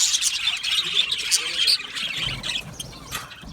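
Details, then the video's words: Aviary colony of Australian budgies, loud overlapping chirps and warbles at first, then the chatter thins and softens, leaving scattered squeaks and a quieter background. "Budgie singing and chirping sounds"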